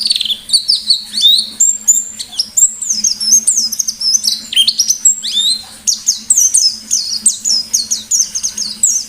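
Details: Ngalas-style pleci white-eye song: a nonstop, energetic stream of high, sharp, downslurred chirps delivered rapidly in long runs, over a soft low hum.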